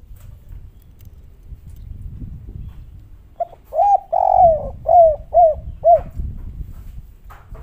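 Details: After a few quiet seconds, a spotted dove delivers a single rare "kuk 3" phrase: a short note, a mellow coo, a long throaty coo, then three brief arched coos, over faint low background rumble.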